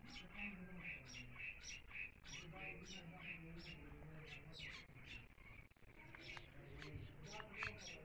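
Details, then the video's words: Newly trapped Bimaculated Lark in Shamani, Khyber Pakhtunkhwa, on 8 February 2024: short bright chirps repeat about three times a second throughout, over a low background murmur. "New trapped Bimaculated Lark bird"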